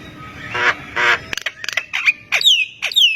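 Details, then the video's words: Javan myna in full song setting off replies from other mynas: two harsh raspy squawks, a string of sharp clicks, then clear descending whistled slurs repeated about every half second. "JALAK KEBO GACOR BIKIN JALAK MALAS BUNYI IKUTAN NYAUT AUTO RESPON"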